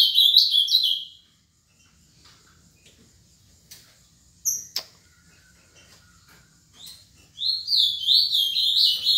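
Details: Seven-year-old caged ultramarine grosbeak (azulão) from Paraná, Brazil, described as a constant singer: a short warbled phrase of quick sliding whistled notes opens, then a long quiet gap with faint clicks, and a fuller rapid warbling phrase closes.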